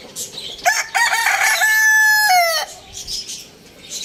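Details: A rooster crows close and loud: a harsh opening, then a sustained harmonic middle and a sharp downward slur, about two seconds in all, with faint bird chirps behind.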